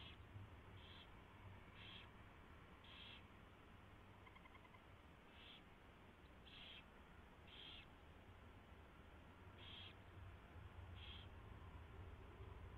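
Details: Owl nest at 4:21 AM, 24 February 2016, as a mouse is delivered and fed: about ten short, breathy hissing screeches at uneven intervals, with a brief soft chitter midway, over continuous low hum.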